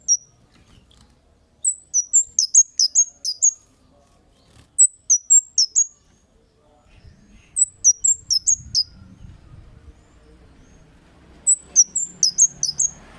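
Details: Kemade, lively calls used as a lure to make other birds answer: sharp, high whistled chirps in quick bursts of five to seven notes, with short pauses between bursts, over a faint low rumble.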